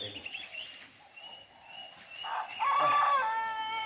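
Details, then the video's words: A rooster crows on a bright morning at a business premises, a rising, drawn-out harmonic call that swells then trails off, preceded by quieter bird chirps. "Kedengaran kokok ayam, kicau burung, suasana pagi yang indah."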